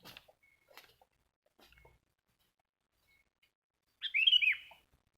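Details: Sooty-headed bulbul heard in West Lampung, Indonesia, while birds are lured for capture without birdlime. Faint clicks and rustles come first, then one loud, short, slurred chirp lasting under a second near the end.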